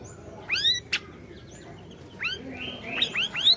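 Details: Orange-bellied leafbird singing in full voice, a recording meant as a lure to get a silent bird singing: bright arched whistles rising and falling, a sharp snapping note, then quick curved slurs, with faint low background noise.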